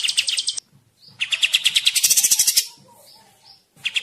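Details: Flycatcher chatter: short bright note bursts, a brief gap, then a fast run of ringing, repeated notes that rises into very high sharp ticks.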